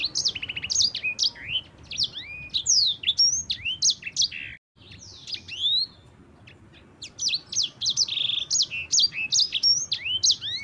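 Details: Yellow-fronted canary, a champion bird used to prompt others to sing, delivering a long rolling clear song: rapid high whistled slurs and short trills, brief silent break near the middle, then the varied phrases resume.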